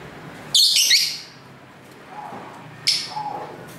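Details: Lovebirds singing and talking to each other at home: a loud double burst of shrill, buzzy chirps, a pause with faint background noise, then another harsh chirp.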